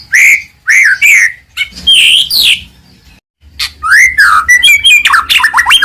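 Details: White-rumped shama, a frequently singing Medan-type bird used to provoke rivals into song: loud, rich down-slurred whistles in short bursts, a brief pause, then faster twisting whistles and chattering notes.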